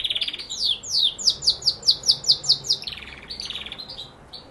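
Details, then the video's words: Canary singing a rapid trill of high, downward-sweeping notes, about two to three per second, followed by a softer buzzy stretch and a final short phrase, with faint background hiss. "canary singing = canario cantando"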